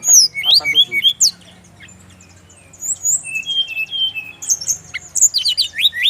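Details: Song of a Brown-chested jungle flycatcher, Bali, played to make others of its kind answer. Quick chattering notes open the phrase, then a pause, then long whistled strands with rapid high twitters.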